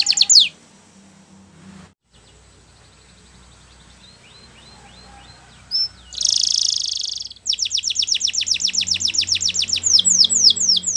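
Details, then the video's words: Canary training song for young birds. After a brief opening sweep and a long quiet stretch with faint soft notes, a loud buzzy burst gives way to a fast series of bright downward-sweeping whistles. "Canary Training Song"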